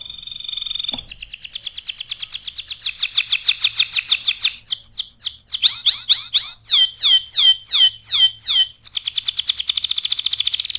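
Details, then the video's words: Vigorously singing canary, a masteran tutor song: a steady high note, long fast trills, clusters of sharp descending sweeps, and a closing rapid trill. "SUARA KENARI GACOR AMPUH UNTUK MASTERAN"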